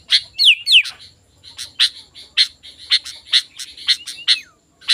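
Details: Sooty-headed bulbul in spirited song for luring wild bulbuls: two quick descending whistles open the phrase, followed by steady bright chirps and a final soft curving whistle.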